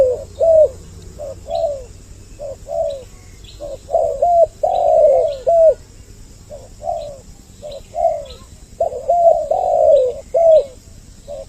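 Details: Two-voiced spotted dove lure recording aimed at drawing males and females near. Repeated low, rough coos form phrases of several notes with brief pauses, and occasional overlapping doubled notes. A faint hum is in the background.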